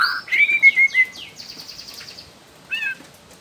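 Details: Juvenile wild Bornean white-rumped shama singing as a lure to set other shamas singing: a clear whistled slur, then a fast run of descending buzzy notes fading out, and after a pause one short whistled note.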